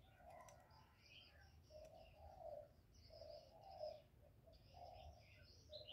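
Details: Spotted dove in 'giọng thổ' voice, calling to stimulate males: a series of low, mellow coos spaced about a second apart, quiet against a rural backdrop of higher twittering birds.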